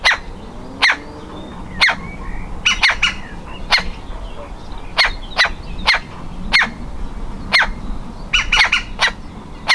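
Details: Nestling woodpecker ready to fledge, struggling to exit the nest hole: harsh, sharp calls in an uneven series, with short bursts of quicker notes near the middle and end.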